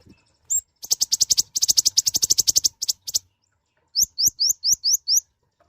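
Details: Gacor song of the konin sunbird: a single rising chirp, then a long dense chattering trill of high notes with brief breaks, followed by six clear rising whistled chirps.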